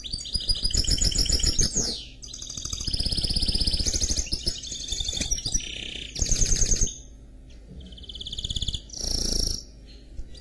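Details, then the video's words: Canary cross goldfinch mule delivering a long varied song: rapid trills, falling sweeps, buzzy held notes and lower pulsed phrases in several bursts with short gaps, over continuous low hum. "Chant Mulet Canari X Chardonneret"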